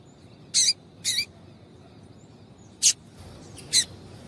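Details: Female double-collared seedeater calls for exciting a male: a pair of buzzy high chips half a second apart, a pause, then two more single sharp chips.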